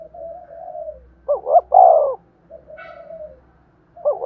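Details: Spotted dove call used to stimulate and train decoy birds: soft, low cooing phrases with a throaty, rolling quality, including a louder double coo in the middle and quieter drawn-out notes before and after, ending with another coo.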